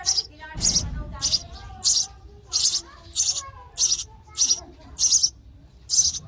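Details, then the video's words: Sparrow chicks in the nest chirping for food while being fed; hissy, high-pitched chirps repeated about every half second in a steady series of ten bursts, with faint low tonal sounds beneath. "Baby sparrow chirping sound for food"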